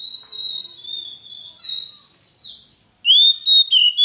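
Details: ['Oriental magpie-robin, recorded as an energetic lure song: long, pure, steady whistles, some slightly wavering, then after a brief silence three loud, rising whistled notes in quick succession.']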